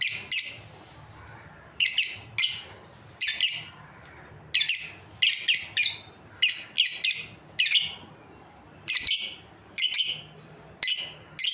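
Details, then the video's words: A breeding pair of lovebirds gives shrill, harsh chirps, often in quick pairs, about every second, over a faint low indoor hum. "Lovebirds Chirping Sounds"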